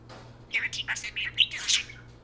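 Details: Parakeets talking to a spoon in turns: a quick, continuous stream of high squeaky warbles and chirps, tumbling up and down in pitch, over a faint low hum.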